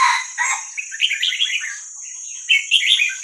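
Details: Wild Vietnamese-type young red-whiskered bulbul, used to teach young birds: a loud full opening note followed by quick twittering warbled runs and a final bright phrase, steady hiss behind.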